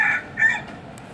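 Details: A neighborhood rooster crowing on a roof after morning rain: two brief, harsh, nasal bursts about half a second apart, a clipped fragment of a crow, over a quiet background.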